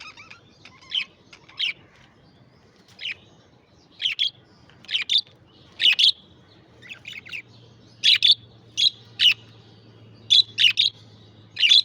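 Budgerigars chirp in quick, high, scratchy bursts, several notes tumbling together in uneven clusters.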